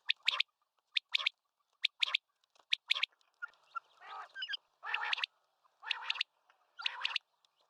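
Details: Common quail calling repeatedly. Quick high triple notes come about every second, then give way to harsher, broader rasping notes in the later part.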